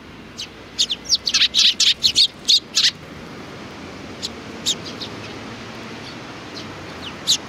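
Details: Sparrows at a Tenmangu shrine on 4 July 2019, giving a fast burst of sharp, high chirps in the first three seconds, then a few scattered single chirps over quiet background hiss.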